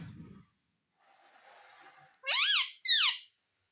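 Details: Ringneck parrot, a talker said to utter "mummy": after faint low rumbling and soft hiss, two loud piercing notes, each sweeping up then down, given in quick succession.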